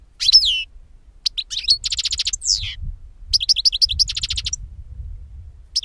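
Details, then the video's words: European goldfinch song meant to lure birds for capture: a rich, fast run of tinkling twitters, slurred downward notes and buzzy rattles, repeated in bursts with brief pauses. "Chardonneret qui chante"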